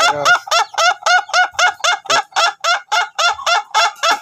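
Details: Long-duration-type Ayam Ketawa chicken crowing in training: steady, rhythmic chain of short nasal cackles repeated roughly every quarter second, forming a continuous laughing pattern, with faint low human sounds at the start.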